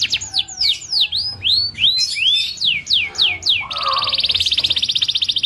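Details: Tame canary singing vigorously (gacor): a series of swooping, slurred whistles, some rising and some falling, ends in a long, very rapid buzzy trill.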